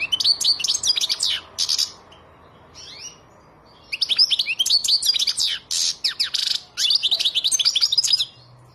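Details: European goldfinch song, silvestrismo setting: quick jangling twitters with a buzzy note, a short gap with one isolated slurred call, then a long, lively stream of rapid tinkling and trilled notes.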